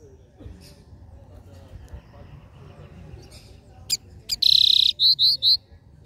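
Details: Capped seedeater delivering the three-note regional 'dó ré mi' song: after several seconds of low background rumble, a sharp click-like note, then a burst of short, bright whistled notes repeated rapidly at the end.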